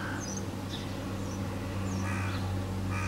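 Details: Crow calling in the early morning: a few hoarse, harsh caws near the start, around two seconds in and again at the end, over a constant low mechanical hum.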